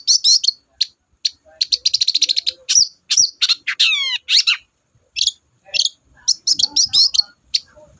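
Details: Long-tailed shrike in full, vigorous song, used as a lure to stir sluggish shrikes into singing: a dense run of sharp high chirps and rapid trilled bursts, then a run of steeply falling slurred whistles, with short pauses between phrases.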